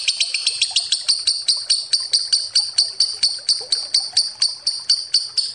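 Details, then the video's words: A long lovebird ngekek used as a lure: shrill, evenly spaced chattering pulses, roughly two to three per second, with a bright high tone running through each beat. "Suara Lovebird ngekek panjang pancingan ampuh"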